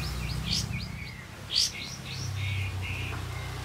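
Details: Short burst of olive-backed white-eye song used as a lure for reluctant white-eyes: thin, high chirps and quick slurred whistles, one loud sharp note, over low rumbling hum.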